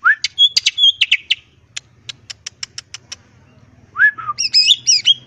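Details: A green leafbird sings in ngentrok style with crest raised. Clustered whistles and rattles lead into a run of sharp ticks. Slurred whistles and chattering phrases follow over a faint low hum.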